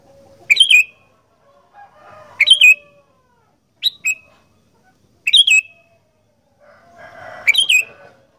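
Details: Sooty-headed bulbul in a lively "gacor fighter" singing style: short bright bubbling phrases, repeated about every one and a half seconds, with faint low background noise between them.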